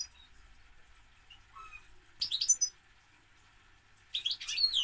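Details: European goldfinch twittering in two high, jangling bursts separated by a pause, with a softer lower note before the first burst and a quiet hum throughout.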